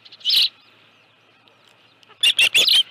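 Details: Osprey at the nest with a live fish, 25 July 2018, 5:23 PM; one loud shrill whistle, a quiet pause, then three quick high piercing chirps close together.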